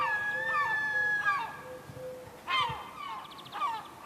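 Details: A gull, possibly a 'laughing seagull', gives funny nasal, yelping cries with downslurred ends, about four over a few seconds, over a steady low background hum.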